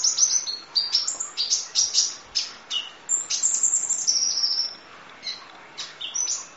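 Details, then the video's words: Van Hasselt's sunbird gives a long, full master song: thin, very high twittering of rapid sharp chips and short sweeping trills in quick bursts, nearly continuous with brief pauses. "Masteran Kolibri Ninja Full Isian Nembak Durasi Panjang Kicau Burung"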